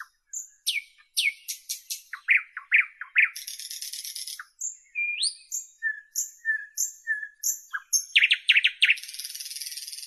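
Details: Nightingale song full of contrast: loud downswept chirps, a high dry rattle, a series of evenly repeated whistled notes, fast bubbling chirps and a closing buzzy trill, all in a clean, quiet setting.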